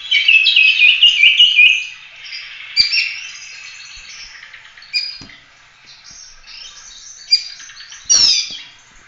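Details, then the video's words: Oriental magpie-robin in full-roll 'tembak' song for training other birds: a loud fast trilled warble opens, then softer scattered whistles and chips, ending with a sudden sharp rising note. "Kacer gacor ful roll tembak cocok buat masteran"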